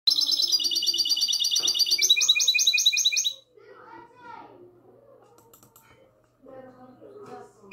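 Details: Goldfinch hybrid singing in the classic style, recorded on the night of 22 March 2020: dense, rapid buzzy-twittering trills, rising sharply about two seconds in, lasting three seconds, then faint low murmuring sounds.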